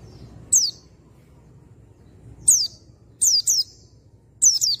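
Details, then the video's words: Oriental white-eye calls used to provoke a male into singing: thin, very high descending whistles, single or in quick pairs, spaced by pauses of about a second, over faint low background hum. "PANCINGAN PLECI AMPUH !!! Bikin pleci bahan jantan cepat NGALAS NEMBAK BUKA PARUH"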